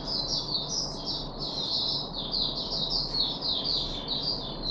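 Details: Caged Puff-backed bulbul, 14 July 2021, third day after deworming: an unbroken flow of high, wavering chirps falling in pitch, set against a steady background hum.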